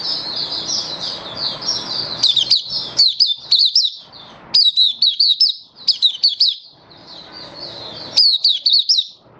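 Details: Malaysian white-eye kept as a hobby bird, singing happily in Singapore on 20 March 2023 in stable, warm, sunny weather; high, rapid chattering warble of slurred notes, bursts of sharp up-and-down chirps after brief pauses, faint room hiss.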